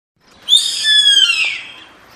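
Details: Yellow-headed caracara giving a single harsh, raspy scream about one second long, starting high and slurring downward, rich and buzzy in tone, then fading out over quiet background.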